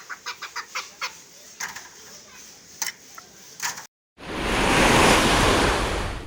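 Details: A domestic male Chukar let loose outside gives a quick run of sharp, dry clucks, several to the second, then scattered single notes, before a burst of loud rushing noise drowns everything.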